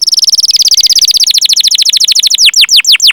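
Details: Canary lure song for training other canaries: a fast rolling trill of high notes, becoming slower and longer downward-sweeping chirps near the end.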